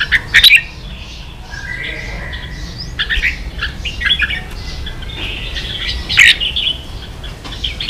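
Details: Song of a red-whiskered bulbul, 'ché' style, used for teaching young birds: a loud chirp burst at the start, then softer warbled phrases and scattered notes, another strong burst near six seconds.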